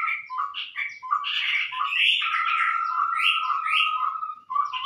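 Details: Chestnut-rumped babbler lure call used to trap the species: busy overlapping chattering notes and a steady mid-pitched piping, rapid and continuous, as if several birds call together.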